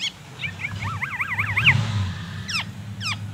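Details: Caged black-naped oriole sunned in the morning, its song filled with learned white-rumped shama phrases: a fast wavy warbling trill, then two sharp descending whistled notes, over a steady low hum.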